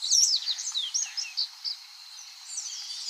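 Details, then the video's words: Common waxbill singing in an original, effect-free recording: a string of short, high, sliding chirps and twitters, loudest at the start and fading toward the end. "Som limpo do canto🎵 do Bico de Lacre"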